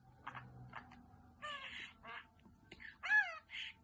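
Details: Parrot giving a series of harsh, harmonic squawks in short bursts, about seven calls over four seconds, some bending up and down in pitch, over a faint low background hum.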